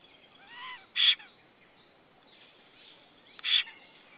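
A black stork gives two short, harsh, rasping bursts about two and a half seconds apart, with faint wheezy notes in between.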